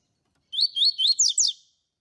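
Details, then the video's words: A double-collared seedeater delivers its tui tui song, meant to warm up and train other seedeaters. The bright, high phrase runs five notes: three rising glides, then two falling slurs, with a quiet background. "COLEIRO TUI TUI PARA ESQUENTAR COLEIRO, MELHOR TUI TUI PARA MESTRE PAPA CAPIM"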